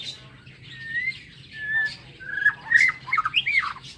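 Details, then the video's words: Morning song of a white-rumped shama kept in an aviary: separate mellow whistled notes, first long and level, then shorter, rising and falling phrases that grow louder and more varied, with light clicks between. "Tiếng Chích Chòe Lửa độc lạ hay"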